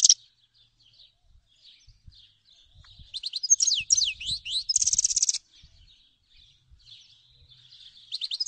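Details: Grey-headed goldfinch twittering softly, then a loud burst of slurred chirps and a buzzy trill, followed by quieter faint chips; light background knocks.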